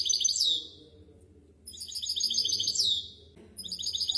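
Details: Misto hybrid canary on a training recording for young birds, delivering bursts of fast, evenly repeated high notes with short gaps between phrases and faint low noise beneath.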